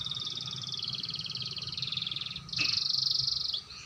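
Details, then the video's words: Young canary learning the roll: continuous fast pulsed trill, high and even, that jumps louder and slightly higher after a brief click midway, with a faint low hum in the background. "burung kenari belajar ngerol suarany jernih"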